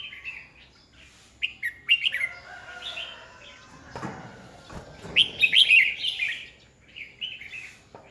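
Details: A Red-whiskered bulbul used as a lure bird for training others to sing competitively, 2020. Short chirpy notes open, then a louder run of bright warbling mid-clip, trailing into softer chirps, with thumps in between.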